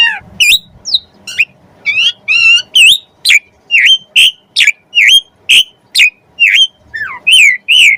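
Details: Asian pied starling song meant as a lure for other birds: short whistled and squawky notes repeated about twice per second, some rising, some wavering, clear and loud throughout.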